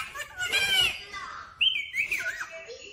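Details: Talking parrot saying "mummy papa": two shrill, speech-like phrases made of sliding whistled tones, the second breaking in abruptly high and then falling away.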